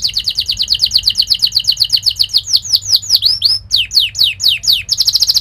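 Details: Sharp, fast canary song for training young canaries to sing and roll. Opens with a rapid even buzzy trill, then swooping down-slurred whistles at a slower pace, ending on another bright rapid trill.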